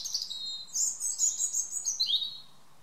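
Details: A European robin sings in a garden at evening: a sweet, high, rippling phrase of fast trilled notes that ends with a short downward slur before falling quiet.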